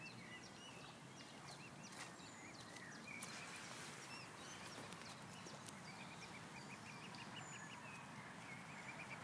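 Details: Swan family resting on grass after feeding on swan food. A run of short, soft, arched peeps repeats quickly near the end, over steady outdoor background noise with faint high chirps from other birds.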